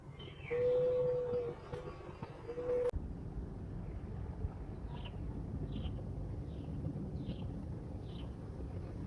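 A low, hollow, steady coo held for about a second, then a brief second note. Later, a small bird gives thin high chirps over a constant low rumble.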